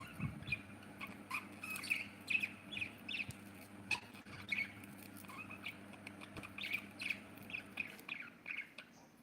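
Budgerigars chirp in short, bright, scratchy bursts that repeat every second or so over a low hum.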